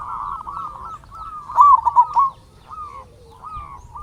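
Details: Zebra dove from a local line, its voice used to spur other doves to sing: one loud bubbling run of quick coos after a second and a half, surrounded by softer, drawn-out cooing from other birds.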